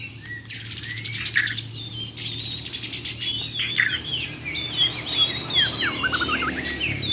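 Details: Bornean White-rumped shamas, champion contest birds tested against rivals, sing a full fill of besetan and tembakan: loud high chattering bursts and buzzy rattles, then rapid sweeping whistled phrases, with a steady low hum beneath.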